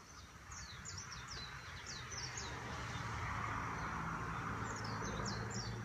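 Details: Birds in Hilo: high, thin, down-slurred chirps come in quick clusters, several birds calling over one another above a steady low rumble of traffic noise.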